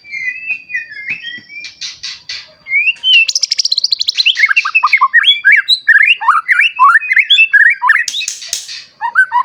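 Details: Captive white-rumped shama singing in full voice to stir young and adult shamas to sing: whistled opening notes, then a long rapid run of varied chattering and swooping whistles, ending in buzzy bursts.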